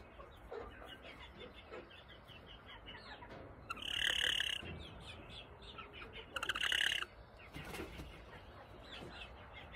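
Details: Backyard Appenzeller Spitzhauben chicken, described as happy and spoiled: soft clucks and small chirps run throughout, with two louder, harsh squawking calls near the fourth and seventh seconds over light background noise.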